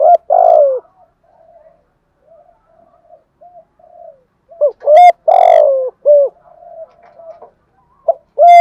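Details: Spotted dove in thúc gù style, used to rouse decoys: a long falling coo opens, followed by soft broken murmurs, then a strong burst of clipped coos and a drawn-out note, with sharp clicks.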